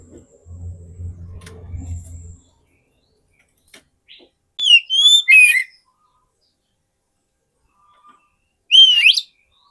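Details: Oriental magpie-robin song used as a lure for wild birds: two loud whistled phrases, a level then falling whistle with buzzy harmonics near the middle and another at the end, separated by silence; low hum at the start.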